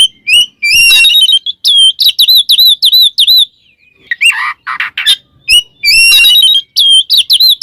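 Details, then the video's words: Oriental magpie-robin performing ngeplong song to summon a rival: clear, repeated upslurred whistles with sharp hooks, interrupted by brief harsh rasping notes and a short pause midway. "suara burung Kacer NGEPLONG memanggil lawan bikin emosi Kacer lain"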